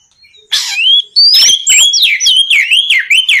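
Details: An Oriental magpie-robin launches a loud rival-provoking song: a harsh opening rasp, then a long rising whistle followed by a quick series of looping, falling whistled notes repeated several times in a row.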